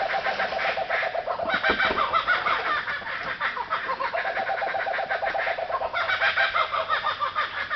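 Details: Wild kookaburras calling all around a camp at Alexandra Bridge on the way to Margaret River, Western Australia; steady rolling cackles and hooting laughter from several birds, briefly interrupted by a short knock near the second mark.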